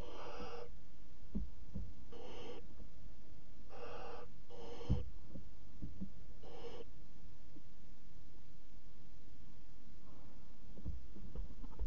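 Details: Barn owl chicks in a nest box at 22:00 on 5 August 2017 give five harsh, breathy hisses, each under a second long, about two seconds apart, over low thuds and the rustle of flapping wings.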